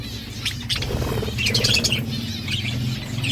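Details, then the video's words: Budgies chirping while eating seeds: short high twittering notes clustered mid-clip over a constant low droning hum. "Budgies eating seeds birds chirping sound"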